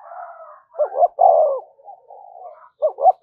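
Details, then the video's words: Mellow low coos of a spotted dove in the thúc gù pattern, meant to attract wild birds: a soft lead-in, a stuttered double note, a sustained rounded coo, then a quieter murmur and the stutter again. "cu gáy thúc gù bài bản dùng kích bổi hiệu quả"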